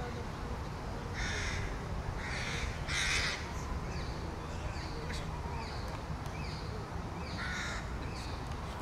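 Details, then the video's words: Young crow begging to another juvenile with a run of harsh, nasal caws, several close together early on, then softer shorter notes and a final caw, amid steady background hiss. "Corneille / Crow A young crow begs another youngster."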